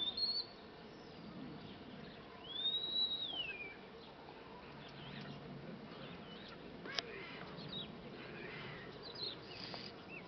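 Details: Common starling singing: a clear drawn-out whistle sliding downward, with a few faint clicks and short high notes afterwards, over steady background hiss.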